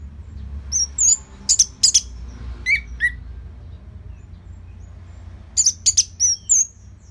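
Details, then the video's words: Orange-headed thrush in relaxed, steady song used to prompt other birds. Sparse, very high whistled notes and a pair of lower slurred notes, followed by a pause and another short run of thin whistles. "Dipancing Dengan Kicauan ANIS MERAH Gacor Selow"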